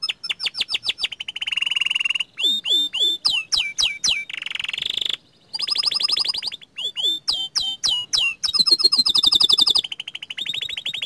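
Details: Young canary singing energetically, alternating rapid rattling trills, sweeping falling notes, a raspy buzzy passage and long rolled tours of high repeated syllables.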